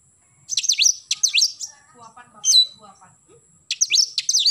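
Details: Morning song of an oriental magpie-robin, bursts of rapid high downslurred whistled notes, a single sharp note midway, then another fast burst; faint soft chirps underneath.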